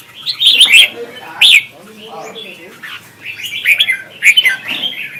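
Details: Contest song of a red-whiskered bulbul from Vietnam, a lure recording for training birds. Clear loud whistled phrases with sharp chirps, a quieter murmur in the middle, then more bright warbled bursts toward the end.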